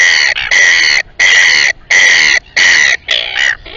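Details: Royal albatross at the Taiaroa Head colony near Dunedin, New Zealand, giving a rapid run of loud, raucous braying notes, about five strong bursts, then trailing off.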